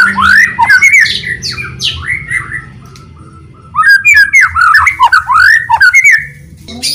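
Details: Loud white-rumped shama lure song to get other shamas singing: bursts of slurred, arching whistles and harsh notes, a short quiet gap, then another rapid run of looping whistles.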